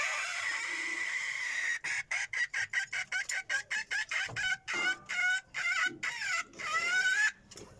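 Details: Decoy rooster, said to crow very well, calls in a fast run of short clipped pulses that stretch into longer, drawn-out harmonic notes toward the end, with constant high hiss behind.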